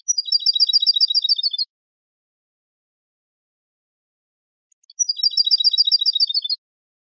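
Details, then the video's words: Spanish-style European goldfinch song meant for tutoring young birds: two rapid bursts of high, tinkling, evenly repeated trilled notes, each about one and a half seconds long, separated by silence. "شريط تغريد الحسون الإسباني"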